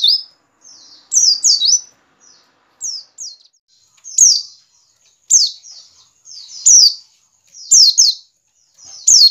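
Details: White-eye in ngiriwik style, played to prompt caged white-eyes to sing: paired high downslurred chips spaced a second or two apart, with fainter thin notes between them.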